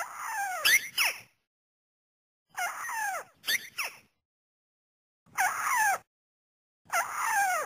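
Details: A White-browed Crake gives bursts of harsh, squeaky, downward-sliding chattering notes separated by short silences; used as a lure call for hunting, netting and snaring.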